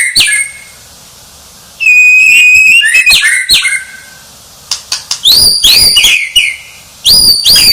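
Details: Champion White-rumped shama: a brief high note, a pause, then a steady whistled phrase, sharp clicks, and bursts of high, ringing rising notes.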